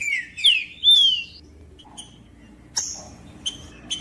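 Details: Green-winged saltator female and male sounds, played to encourage a silent male to sing: three loud sliding whistles at the start, followed by sparse short high chips with pauses between them.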